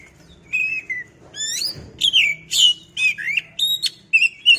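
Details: Oriental magpie-robin song used as a lure to provoke caged birds into singing: a rapid run of varied whistled phrases, some sliding, some ringing with overtones, plus sharp chips, over a faint low hum.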